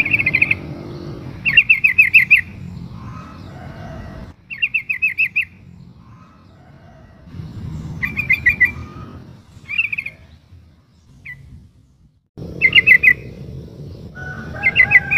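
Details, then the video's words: Female sooty-headed bulbul in breeding condition calling the male, played as a lure to draw replies. Short chattering bursts of rapid repeated notes come in irregular groups with quiet gaps between them, over faint low rumble. "suara burung trucuk betina memanggil jantan"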